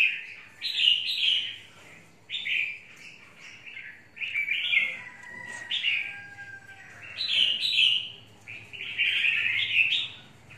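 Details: Red-whiskered bulbul in a cage singing repeated short, rollicking warbles with sharp slurred notes at a steady pace, a distant rooster crowing faintly beneath.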